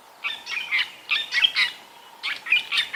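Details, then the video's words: Fork-tailed drongos heard at sunrise on 16 January 2022 beside a drainage line, wild, with many other birds and insects around: harsh, scratchy chattering phrases delivered in three quick bursts, each of several rasping notes. "So I wanted to just sit here for a little bit and listen, because there are some beautiful fork-tailed drongos calling."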